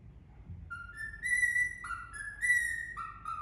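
Indian ringneck parakeet whistling a tune: clear, held notes that step up and down in pitch, about six notes in three seconds, over quiet low room hum.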